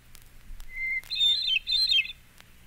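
Hermit Thrush song: one clear, held whistled note, then a higher, ringing, flute-like phrase that spirals upward. Otherwise quiet.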